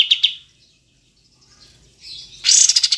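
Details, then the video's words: Kapas tembak, Olive-winged bulbul, clearly recorded: two sharp notes, a long near-silent pause with faint twitters, then a sudden loud, buzzy burst of rapid chatter at the end. "Masteran Kapas Tembak Jernih Jeda Durasi Panjang"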